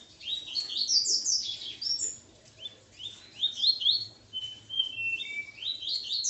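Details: Coleiro male, with his female nearby, sings continuously: repeated sweeping, buzzy, down-slurred notes and level whistles in an energetic, rhythmic flow, with a faint hum behind.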